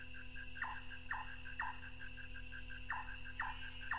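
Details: White-tailed nightjar, also known as large-tailed nightjar, North Queensland tropical rainforest, on an old cassette. Abrupt knocking notes repeat about every half second. A faster run of soft pulsed notes plays behind, with steady hum.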